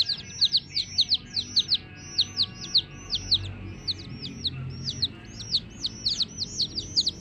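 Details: Domestic chicks peeping steadily, shrill down-slurred notes delivered in quick pairs and clusters about twice a second, bright and high over a faint low drone.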